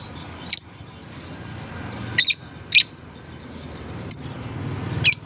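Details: High, piercing single chirps of a lovebird, used as a therapy call to get juvenile lovebirds singing. Five short notes are scattered irregularly across a few seconds. A steady low background rumble plays throughout.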